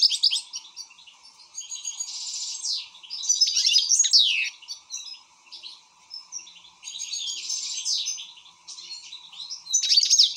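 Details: Excited European goldfinch singing a long, fast twittering song of tinkling notes, buzzy trills and sharp down-slurred whistles, broken by short pauses; a faint steady hum runs underneath.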